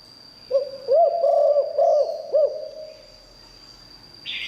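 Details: Spotted dove delivering a liw tan style song meant to draw in wild doves: a single phrase of four or five low, rounded coos that ends in a drawn-out hum, with a constant high background tone.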